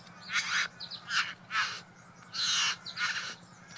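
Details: Male Satin Bowerbird at his bower decorated with flowers and blue trinkets, performing a courtship display for a female: harsh, buzzy, raucous bursts about half a second long, repeated with short gaps, over a steady low hum.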